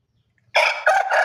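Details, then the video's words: Bangkok rooster giving a short crow: after half a second of quiet, a loud, harsh, harmonic-rich call breaks in, dips briefly, then surges again and runs on until the recording cuts off. "Suara Ayam jago Bangkok berkokok pendek"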